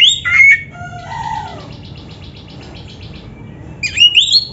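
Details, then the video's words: Kacer, the oriental magpie-robin, singing an 'isian'-filled phrase: a few sharp whistled slurs, then a lower falling note and a faint, rapid buzzy trill, before bright rising whistles return at the end. "Kacer gacor full isian RAPET"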